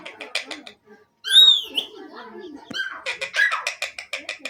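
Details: Indian desi parrot performing its talking and mimicry tricks: a few rough notes, a sudden loud clear whistle sliding up and down, harsher harmonic calls, then a rapid run of scratchy chattering bursts.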